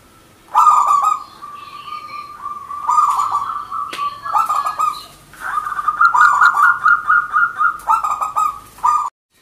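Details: Energetic manggung singing of a local zebra dove, played to lure birds: almost continuous cooing, rolling pulses and trills that merge into long level coos, with a faint rustle partway through.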